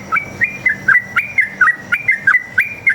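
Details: Sooty-headed bulbul's chatty forest 'ropel' song, used to prompt other bulbuls to sing back: a steady string of short, slurred whistled notes about four each second, each dipping then rising.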